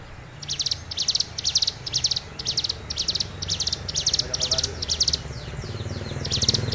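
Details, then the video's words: Tame hill prinia singing a fast series of high, crackling buzzy bursts, about two per second. The bursts break briefly near the end, then return. A noticeable low rumble of background noise grows toward the close. "Suara Ciblek Gunung Gacor"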